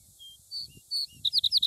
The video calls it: singing vesper sparrow